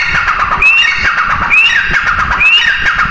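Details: Female grey francolin calling: sharp, squeaky notes that rise in pitch, repeated about once a second over steady background noise.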